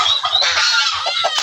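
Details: Backyard-kept domestic turkeys, with a hen turkey among them; a dense, harsh rattling call of rapid pulsed bursts running through the whole moment, with soft low thumps underneath.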